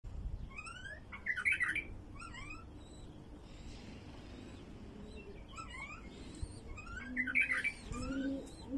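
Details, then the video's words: Wild bulbul song, used to get other wild bulbuls singing: bright, bubbling whistled phrases in bursts, with rising and falling notes repeated every couple of seconds, over a faint low hum. "تغريد بلبل وحشي لفتح البلابل الوحشية"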